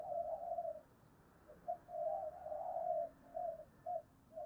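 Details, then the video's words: Spotted dove coos meant to rouse rival doves to fight, faint over a constant hiss: a drawn-out low hoot, then a longer wavering one and several short clipped coos near the end. "Tiếng cu gáy thúc đấu cực đỉnh/ cu gay kich boi nhanh noi gù"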